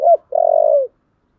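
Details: Spotted dove with a thổ voice, calling to incite a fight. It ends a note, pauses briefly, then gives a long, steady, purring coo that fades out.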